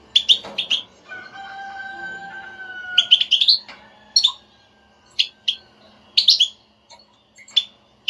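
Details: Stimulating goldfinch بتبتة for a European goldfinch that will not sing: chirp bursts at first, then a long level whistle, then lively clusters of bright, high chirps.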